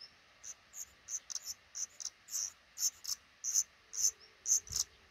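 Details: Black redstarts nesting in a small nook under the roof over a front door while eggs hatch, five chicks; quiet, evenly spaced thin high squeaks, about two per second, with a faint low tap near the end.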